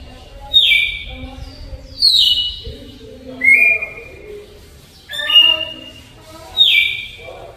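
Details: Campo Troupial giving its slow, flute-like Alagoas song style, strong whistled notes sliding downward, five phrases separated by short gaps, with faint lower murmuring in the background.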